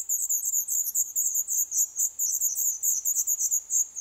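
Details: Eleven-day-old black redstart chicks calling from their nest in an old furnace pipe, Poland, in a building awaiting demolition. A steady, dense stream of very high, sharp chirps runs throughout, several per second.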